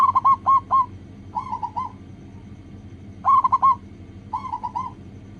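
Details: Local zebra dove singing as a lure for other doves: four short phrases of three or four trilled, cooing notes each, alternating loud and softer, about one phrase per second, with a faint hum behind.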